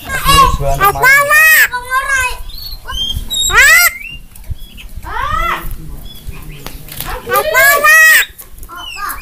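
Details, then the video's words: Black-winged myna used as a master tutor song: loud bursts of rich harmonic whistles and squeals, descending and rising arcs, separated by short pauses with some background noise. "masteran jalak kebo"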